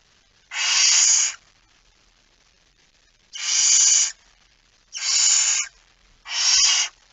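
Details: Barn owl at an It Fryske Gea site, recorded 17 September 2019 at 01:49 while holding a mouse; four long harsh hissing screeches, each about a second long, separated by pauses of one to two seconds.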